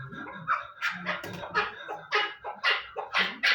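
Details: Chukar partridge calling in spaced, harsh chuk notes roughly twice per second, louder toward the end, over a faint steady hum.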